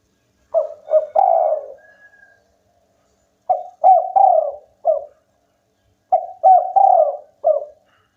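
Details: A local spotted dove singing hard, said to make rivals join in: three crisp phrases nearly three seconds apart, each two short coos, a rolling longer coo and a final clipped note, in clean silence.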